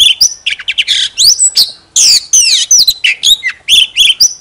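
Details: A decoy Oriental magpie-robin sings with its tail fanned, giving a rapid, continuous stream of bright whistles, rising and falling sweeps and raspy notes, with a short break midway.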